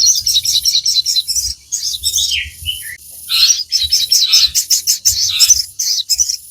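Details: Sogon, or Crimson Sunbird, in full non-stop chatter played to train caged birds: dense, continuous high twittering with rapid sharp notes and short slurred phrases.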